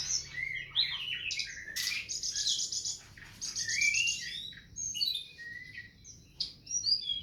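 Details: Tutor song for cage birds: varied high whistles and chirps, some sweeping up and down, with a sustained buzzy passage and scattered sharp notes separated by short pauses.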